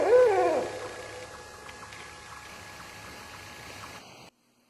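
An owl gives one short, throaty hoot that wavers and then drops away within a second, leaving only a soft steady hiss like trickling water.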